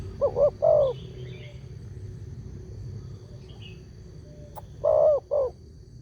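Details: Spotted dove lure call for drawing replies from other doves: two coo phrases with a long gap between them, set over steady low rumbling noise, a few faint high chirps of other birds, and a brief click.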